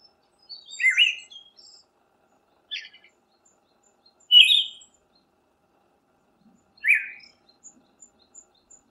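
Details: Siberian thrush singing short whistled phrases spaced two to three seconds apart, each a quick warbled slur, with faint high thin notes between phrases and a still, quiet background.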